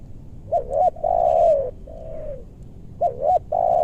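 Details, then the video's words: Lure session for wild spotted doves in a meranti forest, west Bogor, Indonesia: close, clear cooing with a bouncing doubled note, a long loud coo sliding down, a softer repeat, then the phrase starting again. "Pikat tekukur ajaran si bucil paksa turun bl suara besar"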